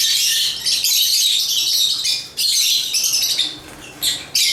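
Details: African lovebirds (Agapornis) chirping and singing: a dense, unbroken stream of shrill, high squeaky chirps and harsh squawks from overlapping birds, with short lulls near the two- and four-second marks.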